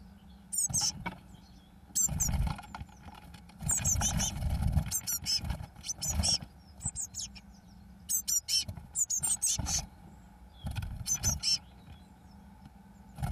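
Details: Fledging Eurasian blue tit chicks, day 21, 1 June 2012, first two leaving; repeated rapid high-pitched chittering bursts every second or two, with low thudding rumbles between them.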